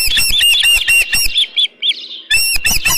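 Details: Osprey at a ranch nest holding a live fish, 24 June 2018, 7:32 AM; harsh squawking whistles in bursts, a brief quiet gap, then loud calling resumes with some knocking and rustling.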